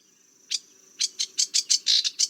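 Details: Sedge warbler song opening after a quiet moment: a single harsh chip, a pause, then a quickening run of dry, scratchy notes, about eight in just over a second.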